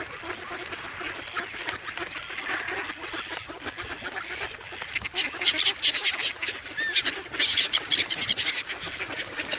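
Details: Hungry young adult geese in snowy Sloterpark, Amsterdam, February 3, crowding a person holding bread; rough nasal honks and cackles come in clusters, busiest in the second half, over constant crowd-like noise.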